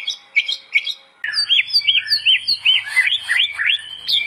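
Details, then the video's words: White-rumped shama singing vigorously, recorded as training song: a few separate whistled notes, then a quick string of arched, slurred whistles, roughly three per second, with a faint low hum behind. "SUARA BURUNG MURAI BATU GACOR UNTUK MASTERAN"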